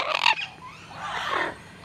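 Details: A talkative Yellow-naped Amazon in an outdoor rescue sanctuary aviary, wet just after rain, gives a harsh, squawky burst followed by a softer, drawn-out nasal call, with a person talking nearby.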